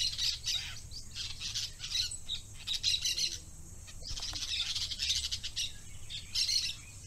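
Parakeets give a steady stream of shrill, scratchy chirps and squawks, high-pitched and overlapping, with a low background hum.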